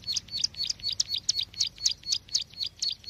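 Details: Bar-winged prinia calling as a trapping lure, sharp high chips repeated rapidly, roughly four per second, steady and uniform over a soft low background rumble.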